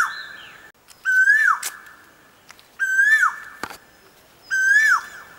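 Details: Sweet song of a koel: three clear whistled notes, each rising gently before falling off, repeated roughly every two seconds, with a few faint clicks between them.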